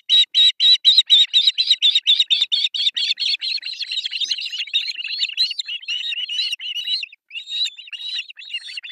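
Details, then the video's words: Osprey chicks, three of them, calling for food at breakfast feeding on an artificial nest in Pohjois Satakunta, Finland, July 1, 2024, nest camera. Evenly spaced shrill cheeps at first, then a faster, overlapping and more ragged jumble of high notes. "Breakfast feeding to three osprey babies"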